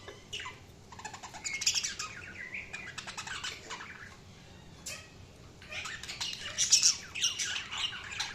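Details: Chatter from budgerigars, with dense scratchy squawks, buzzy warbles and fluttering notes in two busy bursts separated by a quieter middle stretch.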